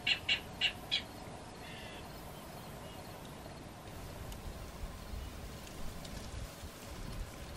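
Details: Clapper rails with chicks and juveniles feeding on grasshoppers in a salt marsh along Delaware Bay, New Jersey: four loud, harsh, clattering kek notes within the first second, then steady marsh hiss with faint, scattered high chirps.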